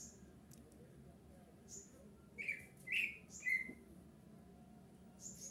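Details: Kutilang emas bulbul song meant to prompt other bulbuls to respond. Three short gurgling whistles follow each other in quick succession midway, against a quiet background with faint high squeaks.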